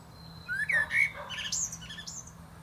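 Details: Brief phrase from a common blackbird singing on top of a plum tree, a fluty whistled opening slurring upward, then a high scratchy twitter, low hum in the background.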